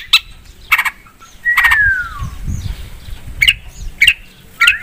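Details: Long-tailed shrike lure song. Short, spaced harsh chips alternate with one long, clear whistle that slides downward. Faint low rumbling is heard in the background.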